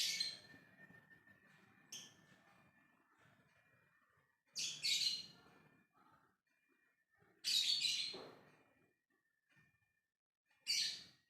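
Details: Calling to others in the ngekek style, a lovebird gives short harsh screeches at irregular gaps, about five bursts over eleven seconds, with softer chatter between them and a thin steady tone behind.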